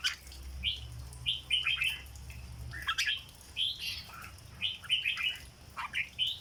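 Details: Cage-kept red-whiskered bulbul in the famed 'dok' singing style, giving repeated short clusters of bubbly whistled notes every second or so, with a low rumble underneath.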